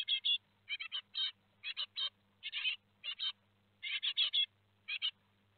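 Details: Great tit fledglings, four, departing the nest at Théding, France, 17 July 2020: quieter repeated buzzy, scratchy chirps in pairs and triplets over a steady low hum.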